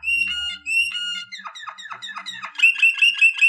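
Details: Waterslager canary singing, a song for training: steady whistled notes at one pitch, then a run of quick downward-swept chirps, ending in loud bubbling trilled phrases repeated several times a second.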